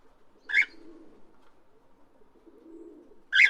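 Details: Parrot giving two strident screeches near the start and end, with soft low murmuring between.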